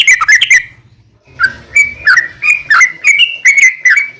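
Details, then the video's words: Yellow-vented bulbul in vigorous 'gacor' song, used as a lure to make other bulbuls answer. A burst of bubbly chattering notes is followed by a regular run of short, slurred, gurgling phrases, about two or three per second. "trucukan gacor ROPEL PANJANG buat pancingan trucukan agar bunyi"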